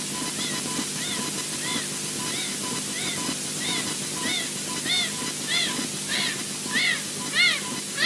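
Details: At Loch Garten, Scotland, an osprey nest sees an unringed male land and get driven off by the resident; an osprey gives a steady series of short, arched whistles, about 1.5 per second, growing louder and more urgent, over windy hiss.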